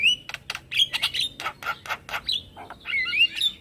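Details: A male Javan myna uses this call to bait other mynas and starlings into responding. It opens with a thin whistle, then gives a string of short harsh chips about every quarter second, and ends in twisting whistled notes.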